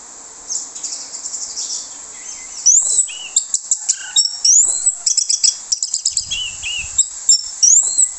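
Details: Lure song of an orange-headed thrush used to draw other thrushes: a long, varied sequence of high whistles, rising sweeps, buzzy trills and sharp chip notes, delivered in quick bursts with brief pauses between phrases.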